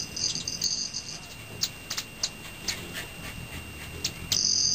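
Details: Male Broad-tailed hummingbirds flying at evening snack-time before bed in Teller County, Colorado: high, thin metallic ringing buzz from the wings in bursts at the start and end, with scattered sharp ticks and clicks between.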